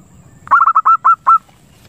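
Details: Zebra dove lure call for stimulating breeding: a single run of six short, clear notes, the first ones quick and clustered, the last ones longer and more spaced, in a quiet setting.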